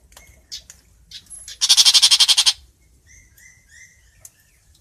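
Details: Long-tailed shrike calling the flock: faint chirps lead into a loud grating rattle of about ten quick rasping pulses, then soft short whistled notes and a final click.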